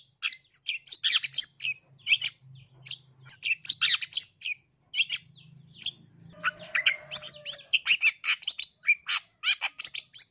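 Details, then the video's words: Aggressive lure song of a long-tailed shrike from East Java, meant to provoke other birds: clustered harsh, buzzy chirps in quick runs, a short steady whistle in the middle, then more rapid scratchy notes, with a soft low hum behind. "Pancingan dan Masteran Cendet Jatim biar Gacor Dor Emosi"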